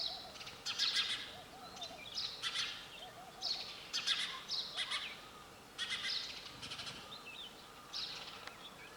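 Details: Sparrow calling: bursts of sharp, high, scratchy chirps come in quick clusters every second or two over a steady hiss of background noise, with faint soft warbling lower down.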